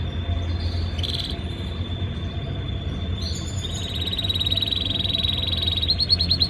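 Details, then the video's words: A canary in breeding season, singing to impress a female: a high, steady note that runs into fast rolling trills which quicken toward the end, over a low indoor hum. "Most powerful Canary singing | breeding season | trying to impress female Canary"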